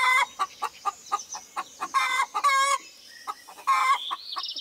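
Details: A rooster out in nature in spring 2018 gives quick, rhythmic clucks, several per second, broken by a few short, harsh, nasal squawks; a thin, high chirping enters near the end.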